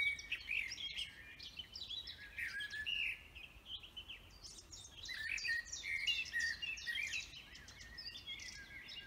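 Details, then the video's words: Lively chorus of forest birds, bursts of fast chirping and trilled phrases that pause briefly and resume, loud and clear. "Vogelgezwitscher Bird songs"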